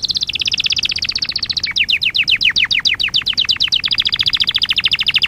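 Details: Canary singing on a lesson recording for training young canaries: continuous quick trills of repeated whistled notes, shifting from fast high tours to slower, deeper falling notes and back to a rapid trill.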